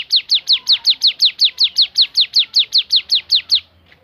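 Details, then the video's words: Javan sunbird in 'tembakan' song, rattling off high, piercing descending notes at a steady rapid pace for about three and a half seconds before stopping, followed by quiet. "ciblek gunung bunyi fariasi tembakan"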